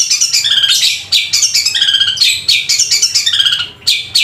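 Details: Long-tailed shrike (cendet) singing in a long, loud, full 'gacor' style that includes sparrow-like 'gereja' notes: dense, rapid bursts of high chattering and squeaky trills, repeated in quick phrases with brief pauses.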